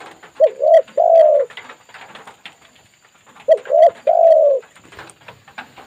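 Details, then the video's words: Spotted dove responding to a lure bird: two cooing phrases about three seconds apart, each a pair of short low notes followed by a longer, drawn-out coo, with soft clicks and rustling between. "pikat sudah tidak sabaran dengar suara bl"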